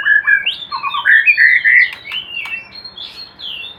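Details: Captive white-rumped shama in a hanging cage, kept for breeding, singing a loud, varied run of whistled phrases that slide up and down, with quick trills and a few sharp clicks.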